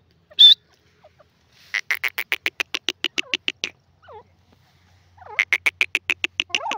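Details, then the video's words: Francolin (teetar) giving one high shrill note, then a fast rattling run of clipped notes that starts and stops. A soft wavering note sits between the runs before the rapid series resumes. "the best teetar best awaaz"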